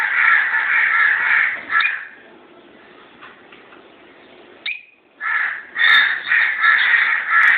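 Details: A pair of pet lovebirds giving loud, harsh, rasping squawks in long continuous bursts, a quieter pause in the middle, then more strident chattering calls.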